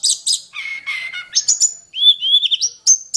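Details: Wild hill prinia singing in mountain forest, with varied fill-in phrases: high buzzy bursts, a long level whistle, then rising whistled notes and sharp high chips.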